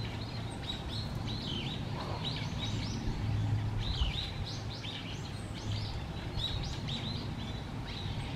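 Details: Little Grebe chicks at feeding time, late November 2023, Musashiseki Park, give thin, high, repeated peeping begging calls, several a second, over steady low background rumble.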